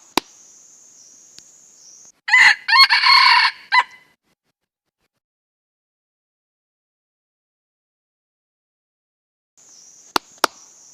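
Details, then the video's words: Crow of a wild junglefowl: a single raspy, clipped crow lasting under two seconds, set between stretches of a thin high hum with a few sharp clicks and long silence. "Suab qaib qus qua cuab tuaj zoo heev"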